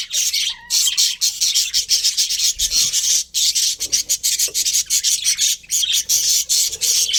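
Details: Colourful budgies in a breeding colony give a dense, raspy chatter of overlapping high chirps and scratchy warbles. It runs almost without pause, broken by brief gaps near the start and middle.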